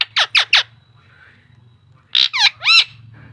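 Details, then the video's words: Talking parrot saying mummy and papa: three quick squawky notes, a short pause, then three louder rising, ringing harmonic calls, with low hum in the background. "parrot talking mummy papa"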